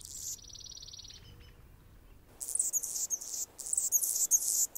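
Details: Male Anna's hummingbird defending its territory while a female feeds a baby in the nest: a brief run of high, evenly pulsed buzzy notes, then dense scratchy, squeaky high chatter in fast irregular bursts.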